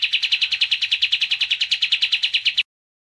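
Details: Kapas tembak giving a fast, evenly pulsed buzzy trill, roughly eight notes a second, steady in pitch and ending suddenly after under three seconds.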